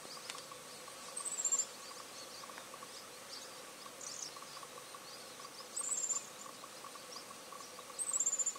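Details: A grey-chinned minivet, recorded 3 March 2023 in Taiwan, gives three brief, very high, thin descending whistled calls spaced several seconds apart over a faint steady insect hum.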